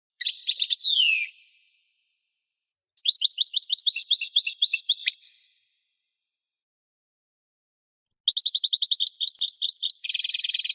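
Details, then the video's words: European goldfinch singing: bright, tinkling phrases of rapid high twitters and trills, with quick liquid notes repeated about four per second, a buzzy nasal note ending the second phrase, and a fast chattering trill at the end; separated by silent pauses. "European goldfinch singing call"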